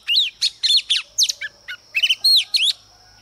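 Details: Female Oriental magpie-robin singing as a lure to provoke males: a rapid run of varied high whistled and chirped notes, some rising, some sharply falling, about ten phrases in three seconds over a faint steady high background tone.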